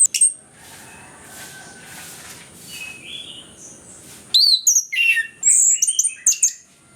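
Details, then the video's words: Orange-headed thrush song used as a lure to get reluctant captive birds singing; after four quiet seconds of faint high notes comes a burst of varied, sharp, high whistled and chattering phrases that change pitch quickly, with brief pauses between. "ANIS KEMBANG GACOR, PANCINGAN AK MALAS BUNYI BIAR GACOR"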